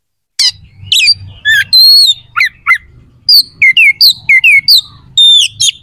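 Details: Oriental magpie-robin song used to provoke rival magpie-robins: loud sharp chirps and downward-sweeping whistles repeated in quick series, with faint low rumble beneath.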